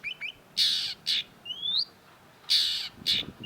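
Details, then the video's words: Long-tailed shrike (cendet) from a songbird training recording: loud, harsh, buzzy rasps alternate with thin rising whistles and a few faint high chips. "cendet gacor MASTERAN CENDET SUARA MENGGEMA JELAS || Long-tailed Shrike"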